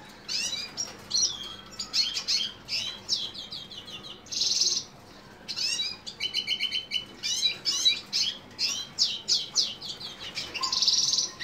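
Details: High, rapid twittering from a lesser goldfinch of subspecies jouji: sweeping chirps mixed with harsh buzzy notes and brief rattling trills, delivered almost continuously with one short pause midway.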